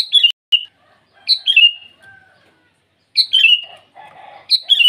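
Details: A sooty-headed bulbul sings eagerly at dawn to summon rivals: repeated short, sweet whistled phrases falling in pitch, delivered in quick bursts, with a faint thin tone and soft chatter between.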